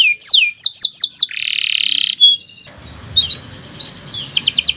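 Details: Singing Kenari Nusantara canary on a training recording for young or silent birds: quick downslurred whistles, a loud buzzing trill, a brief pause with soft chirps, then a fast high rattle.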